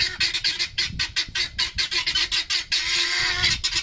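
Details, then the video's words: Helmeted guineafowl kept by their owner seem to give her a good telling off with harsh, grating squawks in rapid, uneven bursts of about two per second, loud and noisy throughout. "My noisy Guineafowl!"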